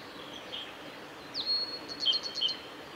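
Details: A male Blue-and-white flycatcher singing on 17 May 2020 on the Kanazawa forest road at Lake Miyagase gives a brief song phrase: a thin slurred note, then a quick run of short, sharp notes over steady hiss.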